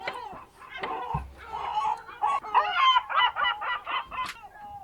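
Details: Birds calling in a fishing harbour on the Ionian Sea, Greece, at 07:40 on an early morning, 27 March 2026, near the Ambracian Gulf: loud harsh harmonic cries, rapidly repeated and overlapping, with a sharp high note near the end.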